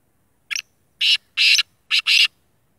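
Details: Black francolin, the all-black sheedi kala tetar, calling: a short clipped note, then two longer harsh, buzzy grating notes, then a quick note and a final long rasp. Silence between the bursts.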